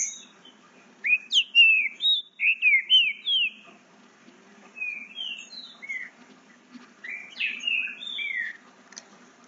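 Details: Captive young green-winged saltator, eight months old, learning to sing: quick series of short whistled, slurred notes in rapid bursts, then quieter scattered phrases, with a faint low hum behind.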